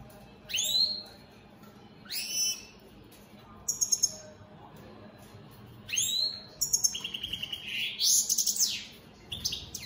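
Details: Singing opal split satiné mutation European goldfinch, a captive bird: separated bright downslurred notes at first, then a rapid run of tinkling twitters and a buzzy rattling phrase, faint background hum.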